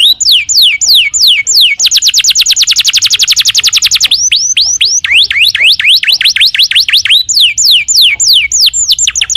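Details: Singing canary, described as gacor (singing continuously), delivering a long varied song: repeated downslurred whistles around the upper register, then a fast even trill of sharp notes for about two seconds, followed by swooping rising and falling phrases.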